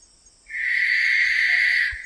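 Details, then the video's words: A barn owl's sustained hoarse screech of about one and a half seconds, steady, hissing and harsh, fading out at the end. "Сипуха. Голоса птиц"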